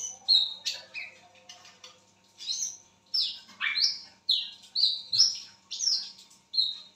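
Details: Midnight calling by a lesser whistling duck: an irregular string of high whistles, some sliding sharply downward, others short and level.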